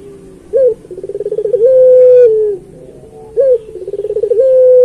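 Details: Turtle dove (puter pelung) repeating its training-master song twice: a sharp hoot, a rapid rolling series of pulses, then a sustained low coo that dips at the end.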